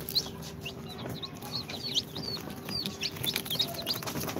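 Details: Chicks hatched in an incubator, on their second day, of Sultan, Golden Sebright, Cochin and booted breeds, trading thin, high descending peeps at an uneven pace, several voices overlapping, above a steady low hum.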